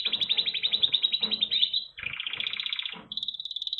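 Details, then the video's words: Red factor canary song: a fast pulsing trill of repeated notes that drops slightly in pitch, followed by a steady high whistled trill, over faint low background noise. "Red Factor Canary Finch Singing Exhibition"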